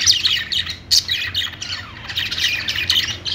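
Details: Parakeet chatter: rapid high, scratchy chirps and squeaky notes pour out almost without pause, with one sharp squawk partway through.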